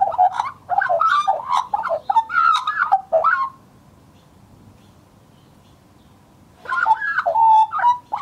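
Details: Australian magpie (Gymnorhina tibicen), a male called R2-D2, recorded as a scruffy juvenile in 2014, warbles a rich, fluting jumble of varied notes for three seconds, falls silent, then resumes with yodelling phrases.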